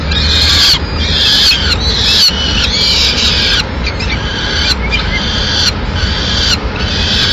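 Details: At a Madrid peregrine falcon nest on 6 May 2016, as the female brings a pigeon, rasping screeched calls repeat rapidly, loud at first then softer and choppier, with low background city noise.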